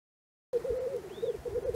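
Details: Black grouse at a morning lek in Cairngorm National Park, recorded from a hide: a low, continuous bubbling warble that rolls in repeated pulses for over a second, with a faint rising-falling note above it.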